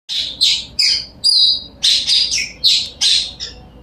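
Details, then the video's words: Blue-crowned hanging parrot calling fiercely with a rapid series of sharp, shrill, high chirps. About eight emphatic notes come roughly every third of a second, some with a short buzzy tail, against soft background noise. "bunyi puling galak"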